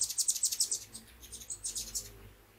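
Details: Hummingbirds visiting a feeder and fountain from sunrise to mid-morning, giving rapid high squeaky chirps in a quick burst of about ten notes, then a second looser series of sharp high chirps.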